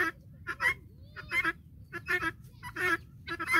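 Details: Farm-raised guinea fowl flock following a hen. Harsh, grating calls come in short clustered bursts, about five groups over a few seconds with brief quiet gaps between them. Soft low rumble underneath.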